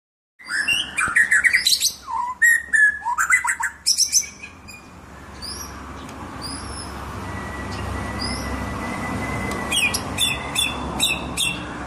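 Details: Singing white-rumped shama in full song: a burst of varied whistles, sharp chirps and rapid trills in the first four seconds, then quieter scattered high notes over steady background hiss and a long thin whistle.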